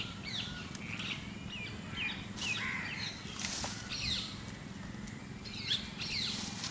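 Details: Mynas on grass in a village in the evening chatter in a busy mix of squeaky whistles, harsh notes and gurgles, several birds calling over steady low background noise.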